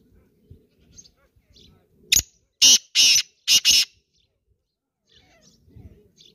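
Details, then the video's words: A female black francolin (kala teetar) gives a short burst of four harsh, rasping notes in under two seconds, over a faint low rumble. Black francolin. "काला तीतर मदी की आवाज"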